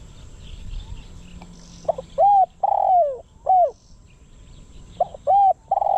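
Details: Spotted dove serving as a lure bird for wild doves at a trap enclosure. Soft faint notes lead into a loud phrase of clipped coos around one long falling coo, then a second phrase begins. Steady low hum beneath.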